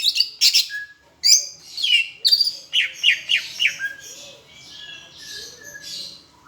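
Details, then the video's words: Greater green leafbird of Palembang, tutor recording mixing in Asian brown flycatcher imitation: bursts of rapid, piercing high chips and squeaks in quick clusters, fading into softer twittering. "Masteran cucak hijau rasa sikatan londo"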